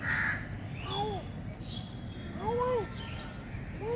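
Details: Crow, known locally as kaga, calling with short arched nasal caws, repeated in quick pairs, over constant low rumbling background noise.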